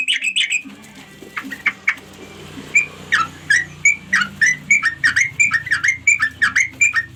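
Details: Sooty-headed bulbul calling companions: a few chattered notes, then a paced run of clear, downslurred whistled notes, roughly three each second, over a soft low hum.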